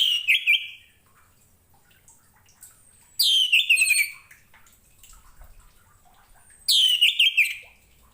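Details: Orange-headed thrush (anis merah) song used as a master recording for training other songbirds: three loud bursts, each opening with sharp high notes and sliding down into a buzzy, descending warble, spaced about three seconds apart, quiet between.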